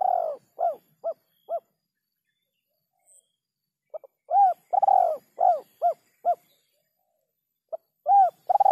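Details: Spotted dove cooing in the 'kuk 3' style, in a clean recording: repeated phrases of short soft notes, then a long mellow arched coo and several shorter descending coos, with a pause of a few seconds between phrases and no other sounds.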